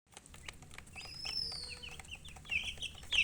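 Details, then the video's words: Baby domestic chickens peeping: short high chirps scattered through, growing louder near the end, with thin sustained whistled tones overhead and a low steady hum beneath. "MURGI Baby "Chicks Chirping" Sound"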